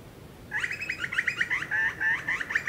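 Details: Noisy cackling from a Grey Butcherbird in the Australian bush: a quick, evenly paced series of rough chattering notes resembling maniacal laughter, lasting about two seconds.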